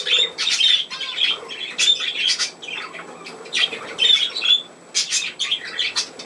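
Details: Domestic budgerigars warbling indoors. Rapid high chirps and clicks come in rhythmic clusters about once a second, with bright whistled notes mixed into the chatter.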